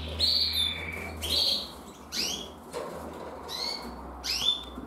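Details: Young male canary hatched in 2024, red mosaic agate colour, singing with an adult bird nearby: bright whistled phrases, some sliding downward, others rising sweeps, in bursts about once a second, with a low steady hum underneath.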